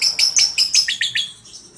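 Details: Young lovebird under five months old, recorded as lure sound to prompt lovebirds to reply. Seven quick, shrill chirps come in a short burst, then fade into a thin trailing note.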